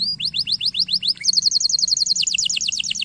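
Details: Stimulating canary song for training: rising chip notes about four per second, then a dense, rapid, high buzzy trill of short repeated notes continuing steadily to the end.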